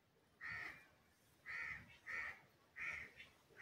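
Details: Green ringneck parrot uttering four harsh, nasal squawks at irregular intervals, each roughly a quarter second long, against a quiet background.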